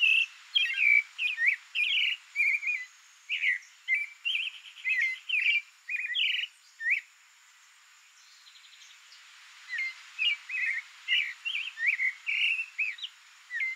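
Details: Creamy-bellied thrush singing a varied series of brief whistled and warbled phrases, rising and falling, with a short pause midway before the phrases resume, over a constant thin high-pitched tone.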